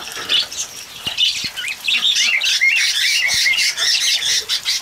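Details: Several cockatiels bathing in the rain give dense, continuous squawky chatter, with harsh chirps and short rising notes overlapping throughout, and a few sharp clicks in the background.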